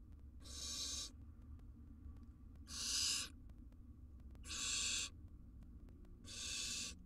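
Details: Wild barn owl family at the nest box while the male delivers a large jird (gerbil). Four loud, rasping hissed screeches, each about a second long, spaced by short silences.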